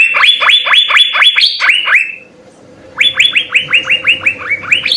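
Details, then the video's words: Song of the Asian fairy-bluebird, used as a master recording for training songbirds: a rapid series of ringing upslurred notes that fades and drops, a second's pause, then the rising whistle series resumes. "Hargacor suara 4 CUCAK BIRU GACOR full isian SI BURUNG SURGA, cocok sekali untuk masteran"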